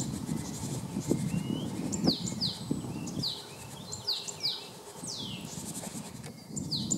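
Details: A male Great Tit, recorded in March 2015 at Jarun, Zagreb, gives sharp, high, down-slurred notes, often in quick pairs, repeated through the clip over a steady low rumble of background noise.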